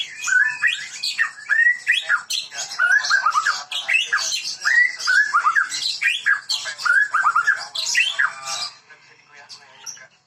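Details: White-rumped shama, known locally as murai (muray medan type), a caged bird singing loudly and continuously: varied rich whistled phrases, rising and falling slurs and chattering notes in quick succession for about nine seconds, then fading.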